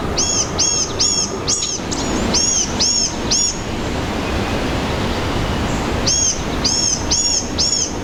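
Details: Blue-gray gnatcatcher heard in forest, repeating thin, high-pitched arched notes about twice a second in two bursts separated by a pause, over steady low background noise.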